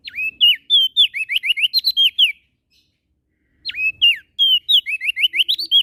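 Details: Prenjak daun (prinia) from NTB, Lombok, singing steadily morning, noon and night: two bursts of loud, clear slurred whistles, an opening dip then a fast run of about ten bright rising-and-falling notes, a silent gap between bursts.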